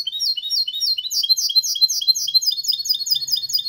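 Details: A goldfinch × canary hybrid sings a clean, error-free, fast, high, twittering song of bright chirps and short trills, several notes every second, with no other sounds; it is used to stimulate males to sing and teach chicks.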